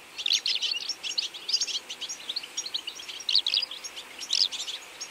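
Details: European goldfinch feeding flock in autumn: dense twittering chatter of many birds, rapid tinkling high notes in bursts, steady chorus with louder clusters about once a second.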